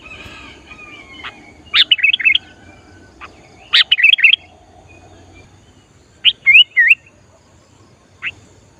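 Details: Sooty-headed bulbul in full song, luring wild bulbuls during trapping practice: repeated short phrases of bouncy, wavering whistles every two seconds or so, each a rapid cluster of three to four notes.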